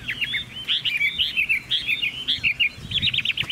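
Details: Chinese hwamei song made of rapid, bright whistled phrases, each note sliding up and down, delivered in quick bursts of three or four with tiny gaps between.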